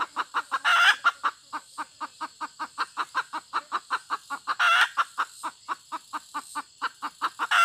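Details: Hen giving a long, steady series of short clucks, about four per second, broken twice by a louder, harsher squawk, with a faint high hiss in the background.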